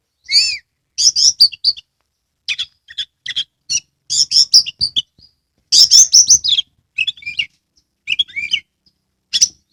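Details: Caged Oriental magpie-robin from Kebumen, Central Java, singing energetically with tail fully spread: a varied string of harsh buzzy bursts and bright chirps in quick clusters, broken by short pauses and a few clear, rising whistled notes.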